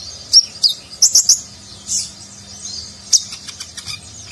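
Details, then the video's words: An Olive-backed sunbird in full song gives very high, sharp chirps and thin squeaky trills in quick irregular bursts, with a faint low hum behind. "Konin Gacor Isian Mewah Gaya Nagen"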